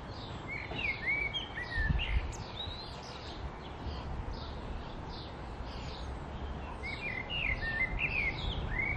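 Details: Common blackbird calling with short, bright chirps and whistled slurs, several notes a second, over a steady rumble of wind and background noise.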